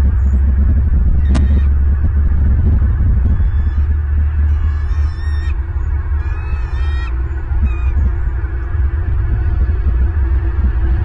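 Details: Bald eagle on a Southwest Florida nest camera, morning of 24 January 2023 at 09:41: after a sharp click, several quick series of high, squealing chitter notes in the middle, partly buried in loud, rumbling wind.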